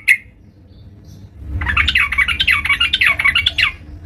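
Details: Yellow-vented bulbul singing vigorously at home: after a short sharp opening note, a burst of about two seconds of bubbly, rapid, chattering warbled notes. A faint low hum lies underneath.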